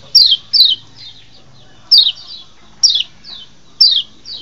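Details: Lombok white-eye recording used to lure wild birds: crisp, high descending chips, a quick pair at the start then single ones about a second apart, with soft trailing echoes.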